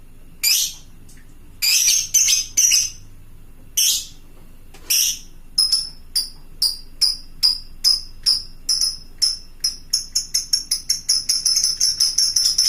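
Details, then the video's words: Fighter lovebird calling to other lovebirds, used to prompt replies from birds at home: several harsh squawks, then a long chattering series of sharp high notes that quickens into a rapid trill. "suara burung lovebird fighter gacor ngekek panjang memanggik teman"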